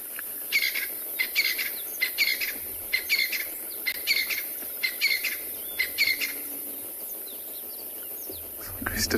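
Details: Francolins give a harsh, grating territorial call at sunrise on 14 December in Tswalu Kalahari Reserve, South Africa: a run of about eight scratchy notes, slightly more than one a second, over soft background hiss.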